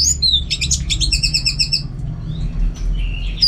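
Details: Orange-headed thrush (anis merah), a kept songbird in a home setting used to train competition birds, singing a rapid burst of stacked high chirps and trills for about a second, then softer scattered whistles over a steady low hum.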